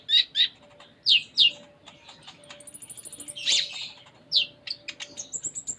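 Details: Konin, or Van Hasselt's sunbird, in busy varied song: paired sharp high chirps, a fast even trill of ticking notes, a buzzy burst, then quick high twitters.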